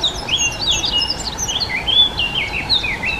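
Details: Close Dunnock song: a bright, hurried warble of thin, wavering whistled notes, pulsing in quick bursts without pause across three seconds, clear over quiet surroundings.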